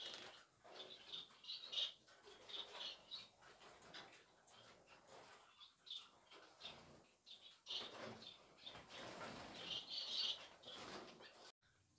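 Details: Finches in an indoor setting giving rapid high chirps and twitters, many short notes about four per second, uneven in rhythm, with several birds calling over one another and light rustling.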